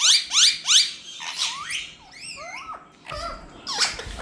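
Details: Parrots indoors talking, saying "Mithu": three quick sharp squeaky notes open, then speech-like syllables with swooping, sliding inflections and a few short squawks.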